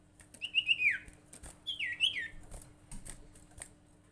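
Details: Sirtu bird calling as a lure to prompt other sirtu or cipow birds: two bursts of quick hooked chirps sliding downward, each burst about half a second, followed by scattered clicks and taps.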